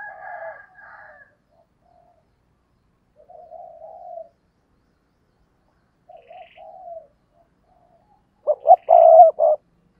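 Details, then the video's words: Decoy spotted dove giving soft, low cooing notes spaced by silences, ending with a louder phrase of two sharp notes and a long full coo. "chim cu gáy mồi cây"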